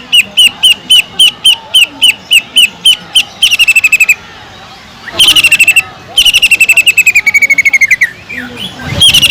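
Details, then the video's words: Greater green leafbird with mimicked kingfisher song: a regular series of spaced high piping notes, then dense rapid trills that fall slightly in pitch, repeated after a short break. "PANCINGAN CUCAK IJO GACOR ISIAN ISTIMEWAH TENGKEK UDANG"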